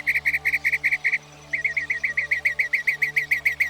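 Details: Northern Mockingbird, known to learn up to 200 different sounds, repeating a clear note rapidly about seven times, pausing briefly, then continuing with a longer steady series of similar quick notes.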